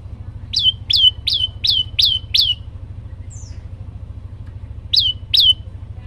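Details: Olive-backed tailorbird (prenjak lumut) in full, varied song: six emphatic notes that swoop down and then hold a piercing whistle, a brief pause with a faint high squeak, then two more notes, all over a low engine-like hum.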